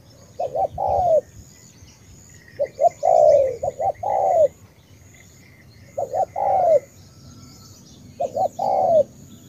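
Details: Spotted dove of the tú type from Cà Mau, Vietnam, giving four well-spaced phrases. Two brief notes are followed by a long, falling, hoarse coo, with pauses between phrases and soft high twittering in the background.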